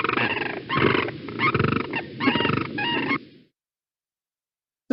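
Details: Two Sandhill Cranes give a unison call on breeding territory, loud rolling bugling bursts overlapping into a rattling duet for about three seconds, then silence; pairs do this after defending territory, after copulating, or to strengthen the pair bond.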